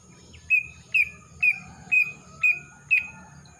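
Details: Young male greater green leafbird from Kalimantan, spotting just gone and black appearing on the front of the neck, singing a clear whistled note with a bent start, repeated six times roughly every half second over faint hum.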